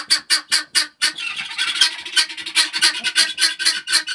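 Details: Helmeted guineafowl dusting in peat moss bedding give harsh, rapid, repeated squawking calls in a loud, grating series.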